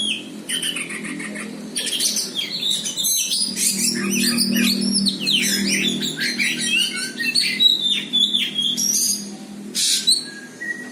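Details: Oriental magpie-robin, a champion bird, singing while confronting a rival it fights straight away: rapid varied whistles, slurred sweeps and harsh chatter in quick bursts, with a pause near the third second and a low droning hum underneath.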